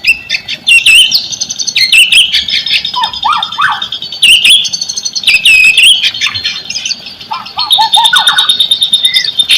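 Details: Lure song of a white-rumped shama for silent birds: repeated loud whistled phrases with sweeping slurs, interspersed with short lower falling notes in quick little runs.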